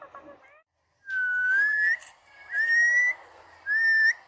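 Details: Household talking parrot giving three long, steady whistles that slide slightly upward, with soft muttering before them and faint background noise throughout.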